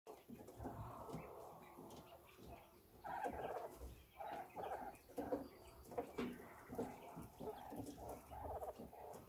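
A quail gives a soft, low purring trill in short rolling bursts, much like a contented kitten.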